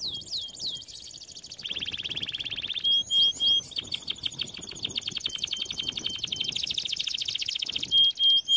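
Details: Canary song used for training canaries: a steady high trill of rapid repeated notes, then a denser buzzy rolling tour with fast downswept notes and a few sharp upward flicks.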